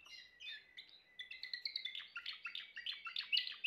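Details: Timbrado canary song that opens softly with a few sliding notes, then builds into a rapid, louder series of chopped, descending notes with metallic, ringing tones, getting stronger toward the end.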